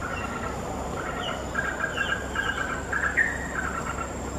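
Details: Yellow-vented Bulbul near Bukit Timah Nature Reserve / Bukit Batok Nature Park, Singapore, fluttering and spreading its wings while giving short, bubbly trilled notes in loose chattering phrases for about three seconds, over a steady high hum and low rumble.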